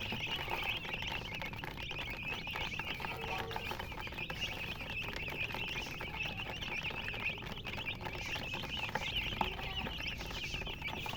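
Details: Chickens chirping nonstop, a dense overlapping chorus of high, thin peeping notes from many birds with no clear pauses, over a steady background hiss.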